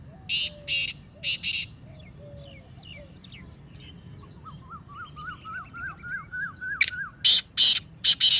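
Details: Black francolin's excited 'masti' calling voice: pairs of harsh rasping bursts at the start and a loud run of grating notes at the end. Between them, a smaller bird gives a rising series of thin, quick whistled chirps.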